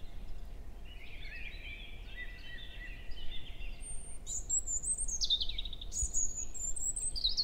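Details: Morning song of a male European robin, early May at 7 a.m. in woodland at Hoher Peißenberg, female nearby; soft twittering warble builds into very high, piercing whistles that swoop down and rise again, against distant low noise.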